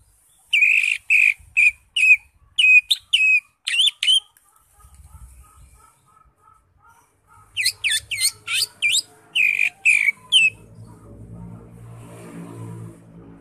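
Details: Cucak ijo (greater green leafbird) singing ngekek style: long, rapid series of bright, clipped whistled notes in two bouts, roughly two per second. A soft chattering murmur and low hum fill the pauses.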